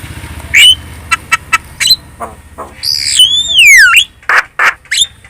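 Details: Javan myna lure song for prompting other birds to answer: scattered clicks and squawks, then a long loud whistle sweeping down and back up, followed by harsh notes over a low background hum.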